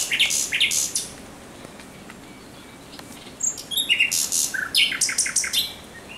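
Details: A thrush nightingale sings at night on 17 May 2023, giving short bursts of high varied notes, a quiet gap, then a more varied phrase of rising and falling whistles and chirps.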